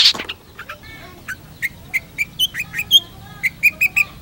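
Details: Long-tailed Shrike in lively song: a click, then a spaced run of short whistled notes that step upward and then level off, each note about a fifth of a second apart.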